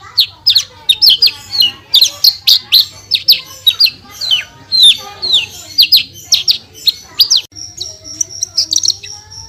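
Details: The Javan bush lark keeps up a full gacor song of sharp, downslurred high notes at a brisk uneven rhythm, finishing with a fine high rattle.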